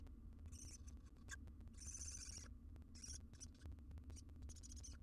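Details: Wild barn owl at a monitored nest box, picked up by a live nest cam: harsh, hissing high screeches in bursts of about half a second, separated by short gaps, over a steady low hum and scattered clicks.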